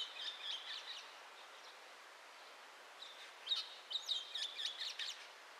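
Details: Chestnut-cheeked starling song recorded 5 May 2012 in front of a house and in its garden: thin high chirps and squeaky twittered phrases in two bursts, with a quiet gap between, over low background hiss.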